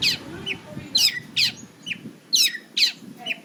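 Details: Cendet, or long-tailed shrike, kept by bird hobbyists, uttering harsh, high scratchy notes in uneven bursts roughly every half second, alternating loud rasps with thinner descending chirps.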